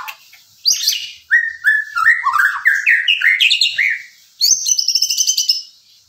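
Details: White-rumped shama singing: a high opening flourish, then a run of rich, mellow whistled phrases stepping upward, finished by a quick high stuttering trill.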